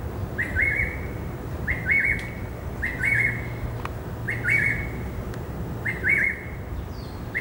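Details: In a herb garden on the afternoon of Saturday 16 December 2017, a greater racket-tailed drongo repeats a short wavering two-part phrase roughly every second and a half, with occasional faint clicks in the background.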